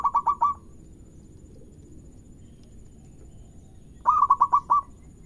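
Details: Local zebra dove singing loudly, used to prompt other doves to sing: two short bursts of about five rapid, rolling coo notes, separated by a few seconds of quiet low background hum.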